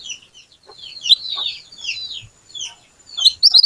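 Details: Little pied flycatcher, a vigorous lure song meant to make other birds sing: warbled high phrases and down-slurred notes, ending in quick sharp high chirps.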